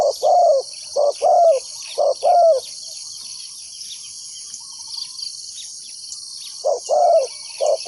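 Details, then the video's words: Trapper's decoy spotted dove calling wild doves, giving groups of low paired coos, short then longer and falling, before a pause and a second group, with insects droning throughout. "chim cu mồi gáy gọi bổi"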